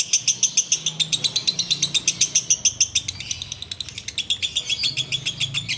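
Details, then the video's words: Sooty-headed bulbul in the ngekek biang kerok song style, heard while waiting to break the fast: rapid, evenly spaced cackling notes, about three to four per second, bright and high, running continuously with slight pitch shifts. "Ngekek Biang Kerok"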